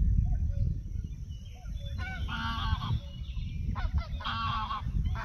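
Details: Greylag goose (Anser anser) at the Soča estuary nature reserve on 14 June 2024, giving nasal, honking calls in short bursts, two or three close together, over a steady low rumble of wind or water.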